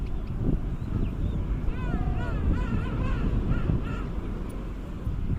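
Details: Penguin calling: a series of wavering, nasal, braying notes that rise and fall in pitch, delivered in a rapid run over about two seconds, over heavy low rumbling wind noise.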